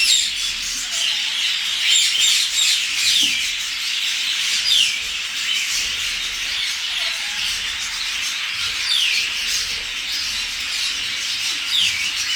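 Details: Several angry grey parrots in a dense, continuous chorus of harsh high squawks, with short whistled notes and falling slurs scattered through the whole stretch.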